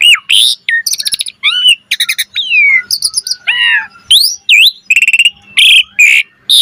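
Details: Varied song of an Asian pied starling, meant to coax other starlings into singing: a fast mix of rattling trills, harsh buzzy notes, slurred whistles and sharp chirps, densely packed, loud and without other sounds.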